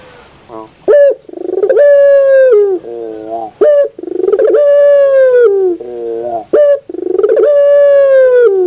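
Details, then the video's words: Puter (Barbary dove) singing in the pelung style in the morning: a short sharp note, then a long drawn-out rich coo that sags at the end, then a lower rolling segment, repeated about every three seconds. "the beauty of the sound of puter pelung in the morning"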